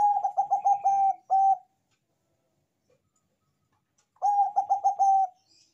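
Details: Bangkok perkutut, a zebra dove with a strong voice, giving two manggung song phrases about three seconds apart, each a rapid run of five or six throbbing coos on one pitch closing with a longer held note.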